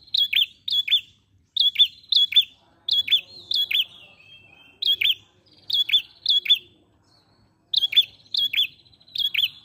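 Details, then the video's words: Ashy prinia in energetic flowing song: a rapid series of high, sharp two- and three-note chirps, each note slurring downward. Groups repeat about every half second to second with short gaps. "Prenjak Pala Merah Gacor Mengalun"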